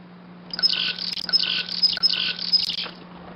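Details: Chickadees fighting over a few seeds on Carroll Road, Moncton, New Brunswick, give four harsh, buzzy dee notes in quick succession over about two seconds, with a steady low electrical hum underneath.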